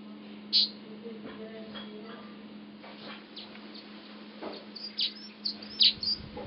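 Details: At Huab Lodge in Namibia a masked weaver works on its nest, giving scattered sharp, high chirps, several bunched near the end, against a constant low electrical-sounding hum.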